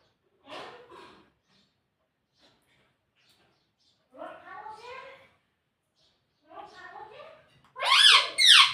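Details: Pet talking parrot in a home, said to repeat "Mummy". Short, scratchy voiced bursts separated by silence, ending in two loud, shrill, rising-and-falling squawks.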